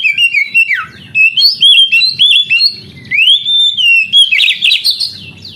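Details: Oriental magpie-robin song used as training to spur lazy young canaries into singing: loud, varied whistled phrases, some slurred up and down, others sharp and chirpy, over soft low thumping noises in the background.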